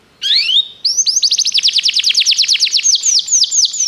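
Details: Canary singing for a training recording: a rising whistled slur, then a long rapid series of high sweeping notes repeated several times a second, loud and steady to the end.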